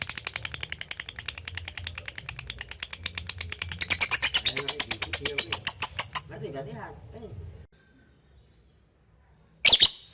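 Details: Lovebird calling a rival so it trills readily; a fast series of piercing high chirps for about six seconds, then a faint murmur, near silence, and a final sharp burst of chatter.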